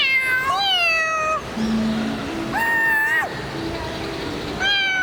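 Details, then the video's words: A talking African grey parrot at a hotel in Hawaii gives three or four rich, harmonic, meow-like notes that swoop and fall, with a faint low hum and murmur behind. "Talking African Grey Parrot"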